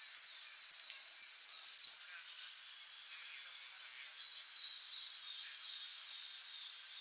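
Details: Saffron finch, prio, golpe y pitada song style: four high, downslurred double notes, a long quiet gap with faint background chirps, then a fresh burst of quick sharp notes.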